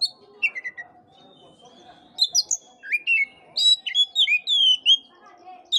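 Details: Oriental magpie-robin song meant to stimulate a listless bird: clear whistled slurs, some rising, some dropping, building into a lively run of varied sweet notes, steady faint hum in background.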